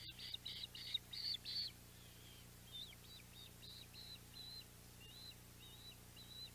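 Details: Osprey at the Audubon Boathouse nest, 14 July 2021, mackerel delivered: a loud burst of harsh high chirps for under two seconds, then softer, slurred whistles spaced about half a second apart.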